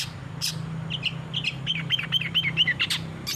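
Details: Long-tailed shrike in full song as a training recording for caged birds: a quick series of sweet warbled and slurred whistles, about two per second, with a few harsh rasps, over a steady low hum.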